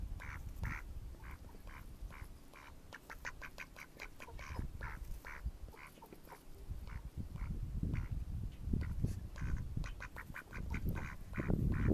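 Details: Mallards calling in May 2014: a steady stream of nasal quacks, some drawn out and some clipped in fast series, with low rumbling noise building toward the end.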